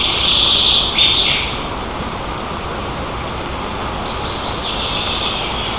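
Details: Nest-camera recording of White-tailed eagles at the nest, Nizhnyaya Kama National Park, Tatarstan, 18 June 2024, young birds teasing a sibling; a loud high squealing call opens, then fainter thin squeals beneath broad hiss.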